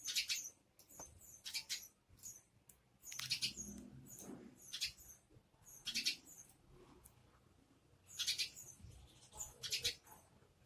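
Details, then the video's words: Several sparrows looking for food chirp in brisk, irregular bursts of high, piercing notes, with some soft lower rustling between the calls. "Sparrows Making Noise And Searching Food"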